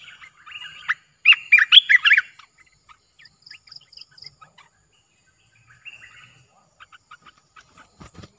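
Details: Newly acquired caged streak-eared bulbul, recorded 29/06/2021, singing energetically in the style called gacor: a bright burst of chattering whistled notes lasting about a second, then sparse short chips and a brief phrase in near silence.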